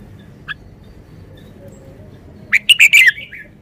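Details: After a single faint chip, a red-whiskered bulbul bursts into one fast, loud, chattering phrase of about five clipped whistled notes, falling slightly at the end.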